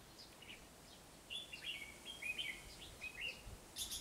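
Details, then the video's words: Caged male red-whiskered bulbul paired with a young-adult female gives very rapid bright, bubbly whistled phrases, short liquid notes tumbling in quick uneven bursts over a quiet background. "chào mào má trắng chất cầu mỏ tốt"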